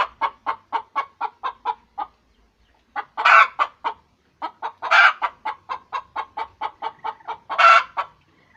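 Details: Chicken calling around egg laying: rapid series of short clucks, about three per second, broken by three loud harsh drawn-out squawks near the third, fifth and eighth seconds.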